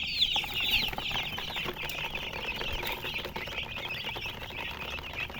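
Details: Young chickens peeping together: a thick, continuous wash of high, quick chirps with steady background hiss.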